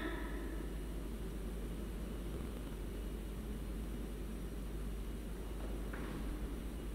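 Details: Steady low aircraft or engine rumble with broadband hiss throughout, and no animal calls.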